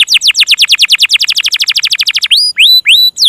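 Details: Canary singing a tutor song with a long roll, the local "ngerol panjang" style; very fast series of descending notes, about eight per second, then three clear rising whistles.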